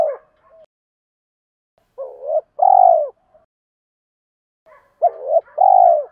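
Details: Spotted dove decoy cooing to call wild doves in and to train decoy birds: two phrases about two seconds apart, each with soft lead-in notes, then an arched hoot and a long, slightly rolling, falling coo.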